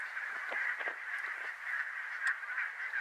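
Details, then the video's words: A flock of barnacle geese (Branta leucopsis) at Workum, Netherlands, in February 2014 gives a dense, continuous chorus of high, sharp yapping barks that overlap with no pause. "Bernache nonnette (Branta leucopsis) Barnacle Goose"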